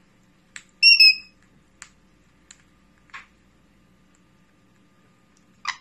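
A sun conure gives a loud, ringing whistled call, then a few short sharp clicks and squawks.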